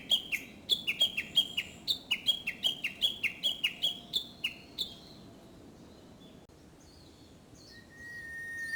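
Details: Japanese bush warbler, early summer, delivering a fast sequence of repeated down-slurred chirps, about three per second, that fades out, followed by quieter distant whistles and faint high calls.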